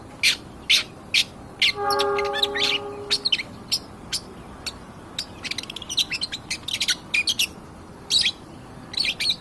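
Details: Long-tailed shrike in full song, played to provoke other birds: rapid, irregular volleys of harsh chips and squeaky notes, over two per second, with a brief droning tone early on.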